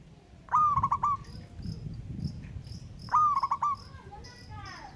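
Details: Local wild zebra dove calling a rival: two coos about two and a half seconds apart, each a held note with quick beats, plus thin high chirps from other birds.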